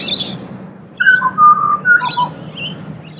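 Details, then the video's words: Pied butcherbird, Australia: a short phrase of clear whistles, a sharp onset then long level and falling notes, with high twittering from other small birds around it. "Serenaded by Pied Butcherbird"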